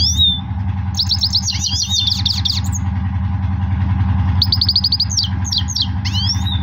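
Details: Goldfinch singing powerfully in two long phrases of rapid high twittering trills, buzzy rattles and sweeping whistled notes, separated by a short pause, over a steady low mechanical hum.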